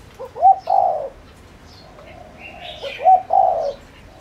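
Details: A decoy spotted dove, used to attract wild doves, gives two low phrases, each a quick rising note followed by a longer, slightly wavering coo, with soft bird chatter behind.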